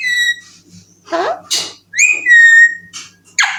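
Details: A young, talking Alexandrine (ringneck) parakeet says "I love you" in a thin, whistly, speech-like voice, with a clear level whistle and a few breathy syllables, in a small quiet room.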